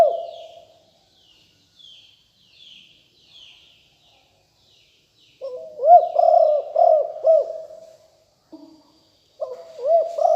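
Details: Spotted dove singing lium tan style as a fierce-strain decoy, 2021: a trailing coo, then soft distant chirps, then a loud phrase of four arched husky coos and a new phrase beginning.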